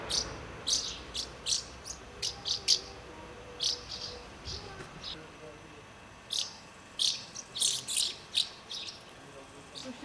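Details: House martins feeding young in Přerov-Kozlovice, Czech Republic, give short, dry, high chirps in irregular bursts, sometimes several per second, over a faint steady background hum.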